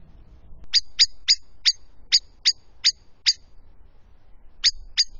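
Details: A Eurasian blackbird in a box hedge in Charente, France, in December, gives sharp, metallic 'chink' alarm notes, about three per second, eight in a row, then two more after a brief pause.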